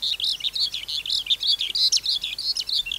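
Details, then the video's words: High, fast skylark song from a wild-caught adult bird, played to train young caged skylarks: tightly packed chirps and short warbled slurs, about three notes a second, with no pause. "Sơn Ca Bổi Hót Giọng Cực Hay"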